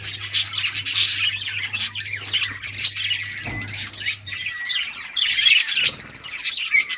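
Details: Budgerigars at play chirp continuously in dense, overlapping warbles and squeaks, a chattering flock sound with a faint low hum in the first half.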